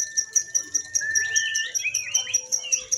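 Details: Lovebird competing in a single-fighter practice songbird contest in Indonesia. Rapid high ticking pulses repeat about two or three times a second under rising and falling whistled slurs. No other clear sounds.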